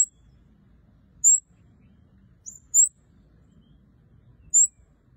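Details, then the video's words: Red-headed kemade singing actively: short, very high, thin chirps with a quick downward slur, given singly at irregular gaps of one to two seconds over a faint low background hum. "Burung Kemade Kepala Merah Gacor"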